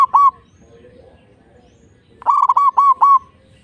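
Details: Local zebra dove, played as a lure to get rival doves singing, gives a loud single coo, then after a pause a quick run of four rolling, mellow coo notes at an even pitch.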